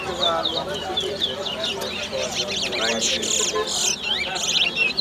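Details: Chestnut-bellied seed finch (towa towa) singing at a bird singing competition in Lusignan, Guyana: a fast run of bright twittering and sweet whistled notes, people talking, possibly a second bird.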